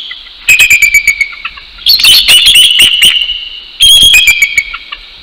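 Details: Dawn territorial duet by a bald eagle pair at their Northeast Florida nest on 12 January 2019: three bursts of fast, high-pitched stuttering calls, the middle one densest, with softer notes trailing between.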